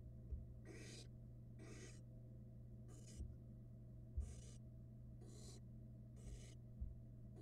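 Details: Barn owl nestlings, two, eating rats in a Florida nest box; six harsh hissing bursts spaced about a second apart, with a constant low hum and scattered soft thuds from movement.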